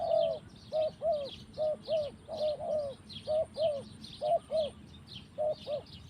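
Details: Spotted dove cooing in the forest, a run of short, clear, arched hoots mostly paired, about one pair per second, with a steady wash of high chirping sounds in the background.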